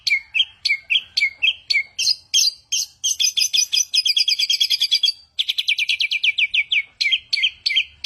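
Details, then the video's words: A talented mimic bird alternates sharp whistled upslurs with dense, buzzy high trills of rapid repeated notes, breaking briefly before returning to the whistles. "burung jenius 1001 suara,suara cetar"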